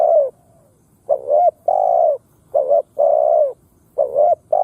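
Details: Spotted dove kept as a lure to provoke wild birds to fight, cooing loudly in a short rising note then a long steady coo, phrases repeated about every second and a half.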